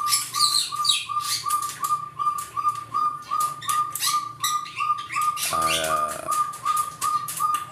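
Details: Crested partridge in an aviary gives short, soft whistled notes repeated steadily about three times a second, a call used to seek its mate, with chattering and chirping of other birds behind.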